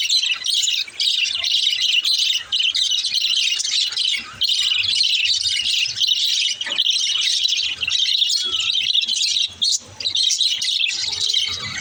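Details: Baby budgerigar singing: dense, nearly unbroken high twittering chatter of quick chirps and warbled notes, with a few brief pauses and occasional soft low bumps underneath.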